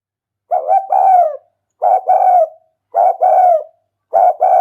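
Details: Spotted dove decoy call used for luring: four husky coo phrases in close succession, each a short stuttered lead note then a longer, throaty coo sliding down at the end, with no other sounds.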